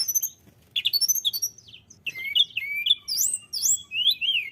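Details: Lively tledekan gunung song meant to lure other birds: rapid chattering notes, a brief pause, then varied high whistles with swooping, rising and falling slurs, closely spaced and continuous to the end.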